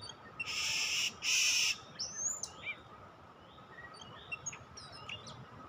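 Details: Oriental magpie-robin sound used for luring in trapping, recorded in 2023: two loud harsh buzzy bursts open, then short slurred whistles and sharp chirps rising and falling at irregular intervals over a steady low hum.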